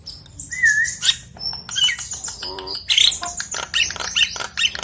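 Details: Common hill myna from Nias, calling to entice other mynas into voice: a wavering mid-pitched whistle, then scratchy squawks and bright high whistled notes over a steady low background hum.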